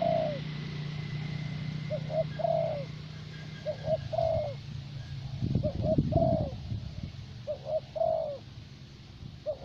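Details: Thổ bầu spotted dove decoy from Vietnam, valued for steady playing and a voice that stays mellow with age, giving repeated coo phrases of two short notes and a drawn note; a brief low thumping noise intrudes midway.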